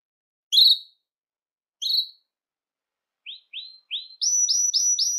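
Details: Belgian canary calling to attract other canaries: two short rising whistled chirps, then several lower upswept notes that build into a quick series of bright rising high notes.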